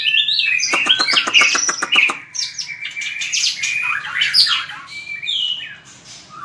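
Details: White-rumped shama trained for song contests, starting with a fast series of about ten sharp clicking pulses mixed with whistles, then flowing high warbles and slurred notes that fade toward the end.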